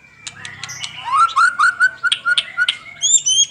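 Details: White-rumped shama (murai batu) song recorded for training caged birds, morning and evening: a quick series of sharp notes over a descending run of clear whistles, then high whistled phrases, with a low hum beneath.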